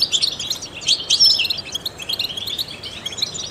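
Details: Trained European goldfinch singing, used to stimulate other songbirds: rapid twittering of high chirps and short trills, with a bright whistled note near the middle, continuous and busy throughout.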